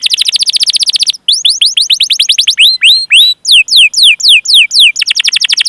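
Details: Canary singing to prompt other canaries into song: a rapid trill of falling notes, then slower separated whistled sweeps, some rising and hooked, closing with another fast rolling trill.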